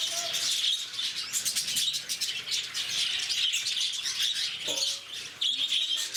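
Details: Constant shrill squeaking and chirping from a crowd of lovebirds kept at Bannerghatta Zoo near Bangalore, the chorus briefly dipping near the end before resuming at full volume.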